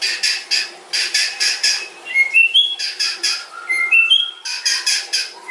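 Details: Murai batu, the white-rumped shama, pours out a long filled song. Rasping, broadband chatter bursts are broken by clear whistled notes, some rising and some falling.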